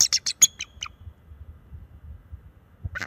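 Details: A bald eagle pair defends its nest from a perching owl, March 7, 2024. The male gives a quick string of sharp, piping notes that descend and fade within a second, then another high burst after a quiet stretch.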